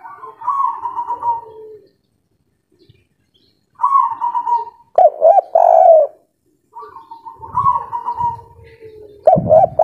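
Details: Spotted dove of local Indonesian stock in kuk 3 style, in breeding condition and singing persistently: soft wavering coos separated by silences, each followed by loud rounded coo notes, with a faint rustle near the end.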